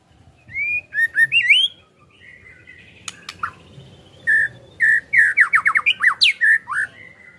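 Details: Caged white-rumped shama song played to stimulate a kept bird to sing: clear whistled notes rising and falling around mid pitch, then a run of fast sharp repeated chips and slurred whistles.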